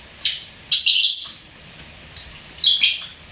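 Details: Pet lovebird chirping, four loud, shrill, scratchy chirps in two pairs, each burst harsh and high-pitched, separated by about a second of quiet.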